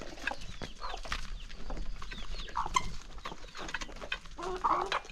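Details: Morning feeding for a flock of hungry chickens in the countryside; short clucks and squawks, some chirps, over pecking and scuffling sounds.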